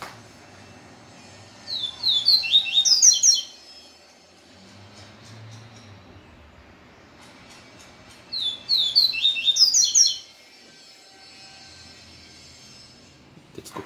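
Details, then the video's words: Caged Yellow-bellied seedeater (papa-capim) singing the Israel song style after a day of exposure to a female. Gives two bursts of rapid high twittering notes, each under two seconds and about six seconds apart, over a low background rumble. "Papa capim ISRAEL mexida de um dia de fêmea"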